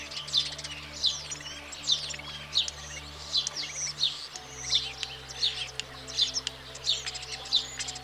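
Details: A European Starling, singing to impress mates during the breeding season, repeats buzzy, scratchy chattering phrases about every second, backed by a low steady hum.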